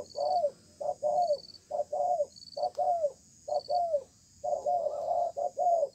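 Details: A spotted dove, caught from the wild, calls hard during a contest under a communal stilt house: a steady run of low, rounded coos, many ending in a gliding drop, about one per second, with cricket pulses behind.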